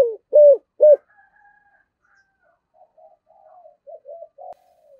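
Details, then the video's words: Decoy spotted dove singing in the prized "thổ" voice style: three loud, hollow coos in quick succession open the phrase, followed by a string of much fainter, softer cooing notes trailing off. "Chim Cu Mồi// cu gay giong tho cuc dinh"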